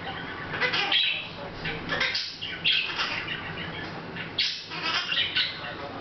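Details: Pet Hahn's macaw chattering softly in August 2012: scratchy squawks blended with thin whistled squeaks and murmuring, speech-like sounds, occurring unevenly over continuous low hum.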